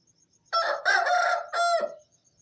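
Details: Aseel rooster crowing at dawn around 4:30 am as a wake-up call: one long, loud, harmonic crow in three strained, hoarse phrases, the final phrase dropping sharply in pitch. Faint insect chirping underneath.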